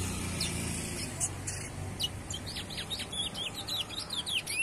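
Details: Juvenile chestnut-bellied seed finch that goes on singing through surrounding noise: scattered high notes building into a quick series of descending slurred whistles, with low background rumble early on.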